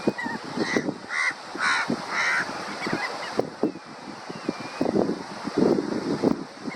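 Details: Crab-plovers (Dromas ardeola) give four harsh, nasal barking notes about half a second apart, then rougher clamor over surf-like background noise.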